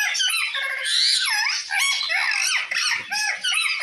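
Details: A parrot calls to another parrot with dense, loud chattering: sweeping squeaks, dipping whistles and raspy notes running together almost without pause.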